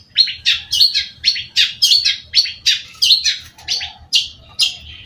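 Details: Long-tailed shrike singing steadily: about ten scratchy, harsh chattering notes, each sweeping down, spaced roughly half a second apart, with a faint low note near the end.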